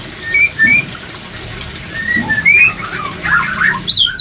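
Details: White-rumped shama song used as breeding-drive therapy. Spaced, pure whistled phrases rise and fall, then build to a rapid tumble of high notes at the end.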